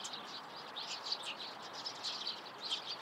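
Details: Morning calls of Eurasian tree sparrows: soft overlapping chirps, slightly muffled, running throughout over background hiss.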